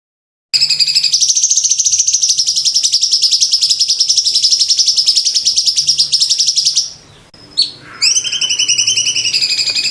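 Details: Sooty-headed bulbul master song for training songbirds, dense rapid bursts: a long fast buzzy trill of high notes pulsing about four times a second, briefly breaking off before resuming.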